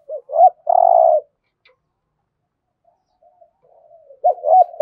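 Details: Spotted dove in 'gù thổ' style cooing, used to stimulate other doves to coo: a quick double note and long rough coo, then a pause with faint soft notes before the phrase starts again.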